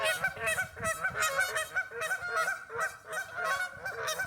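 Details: Geese in a local park in West Virginia, many birds honking together in a dense, overlapping chorus of nasal, harmonic calls, steady throughout with several strong bursts.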